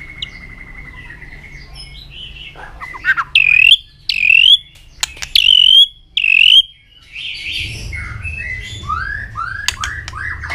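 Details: Fired-up white-rumped shama singing continuously with tail flicks: a soft level note opens, then four strong upswept, ringing whistles about a second apart, followed by a rambling mix of lower sliding and twittering notes.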